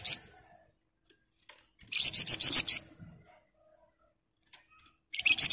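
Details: Sunda bush warbler singing continuously: one sharp high note, then after a pause a tight burst of about seven rapid, shrill, ringing notes. A new burst begins as the clip ends.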